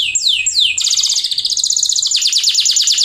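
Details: Canary singing a lively song to encourage reluctant birds: two quick downward whistled slurs, then a dense high rapid trill that slows into a pulsing series of repeated notes.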